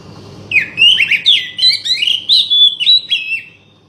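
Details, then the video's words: Oriental magpie-robin song, played to coax a bird that has stopped singing: a rapid run of varied whistled and chirping notes, some sliding up and down, about three per second, fading out at the end. "buat mancing burung kacer macet bunyi"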